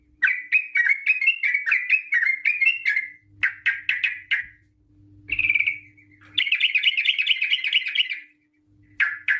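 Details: Long rapid 'ropel' song of a sooty-headed bulbul, used to coax other bulbuls to sing: a fast run of repeated chirps, a pause, then an extended wavering trill lasting about two seconds.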